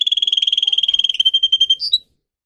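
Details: Singer canary in a brief song phrase: a fast, even, high rattling roll of rapid pulses that slows slightly. It ends in two clear whistled notes, then silence.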